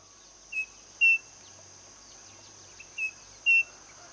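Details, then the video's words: Striped cuckoo, known locally as saci, giving paired clear whistles, a short note then a louder, slightly higher sustained one, the pair repeated about every two and a half seconds over a steady high insect drone. "saci (Tapera naevia)"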